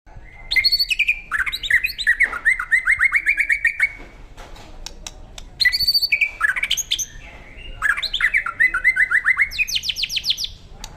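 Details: White-rumped shama, a caged bird said to be ready for singing competition, delivering loud varied song: rapid repeated chattering notes around mid pitch, sweeping slurred phrases, and a bright rising burst near the end, with short pauses between bursts.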